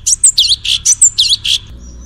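A cucak cungkok delivers a quick burst of about seven bright, high chirping notes, roughly five per second, ending abruptly; otherwise quiet.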